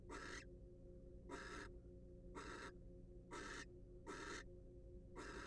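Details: Barn owl, wild, inside a monitored nest box: six rasping, breathy hisses in quick succession, about one per second, with a constant low hum beneath.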